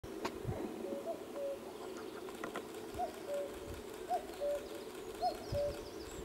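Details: Common cuckoo at RSPB Lakenheath Fen in May 2016, giving its two-note cu-coo, the first note higher and the second lower and longer, about four times at one-second intervals over a steady low hum and faint background rustle.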